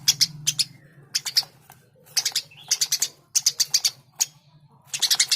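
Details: Eurasian tree sparrow singing actively: bursts of sharp, bright chirps in quick clusters of three to five, separated by short pauses, with a faint low hum underneath.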